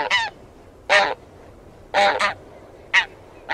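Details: Taiga bean goose calling with spaced nasal honks, single or paired, about one a second, rich in harmonics, with a faint low hum beneath.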